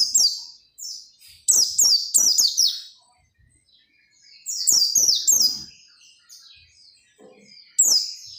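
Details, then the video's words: Clear, high oriental white-eye song meant to get other white-eyes singing: quick cascades of sweet, descending slurred notes in bursts, separated by brief quiet pauses, with faint clicks. "SUARA PELECI GACOR NGOTOT BIKIN PELECI LAIN RAJIN BUNYI BUKA PARUH"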